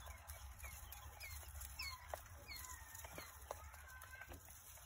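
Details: Three-day-old Coturnix quail chicks peeping: many thin, rising, whistled peeps scattered irregularly, soft against a steady low hum and occasional clicks and taps.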